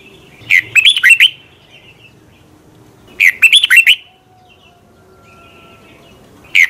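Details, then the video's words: Red-whiskered bulbul morning song used for training: two lively phrases of quick, warbling whistled notes about three seconds apart, with a third starting at the end, over a low steady background hum. "Luyện chào mào hót sáng 2020, Quá hay Giọng kép xoắn dài hót căng lửa - luyện chào mào hót"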